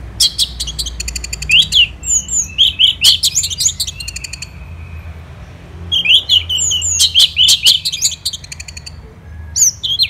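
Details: Vigorous song from a caged Orange-headed thrush: dense bursts of very high rapid chirps, buzzy trills and squeaky slurred notes, in two long runs with a short pause.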